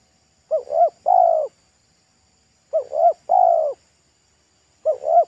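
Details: Spotted dove of local stock, wild and loud-voiced, singing pesom-style beside a road. Two full phrases of two quick coos and a longer sustained coo, then a third phrase starting, in a quiet background.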